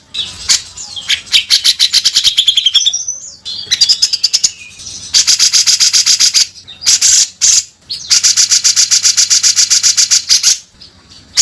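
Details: Loud 'beset kasar' singing from a grey-cheeked bulbul (cucak jenggot), for birdkeepers' training: long trains of rapid, harsh, rattling notes, several bursts of about a second or more, broken by short pauses and brief whistles.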